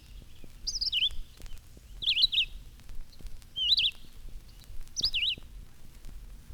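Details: A single red-eyed vireo singing high in the trees in spring gives short, separate whistled phrases, each about a second apart, some rising and some falling, over faint background hiss.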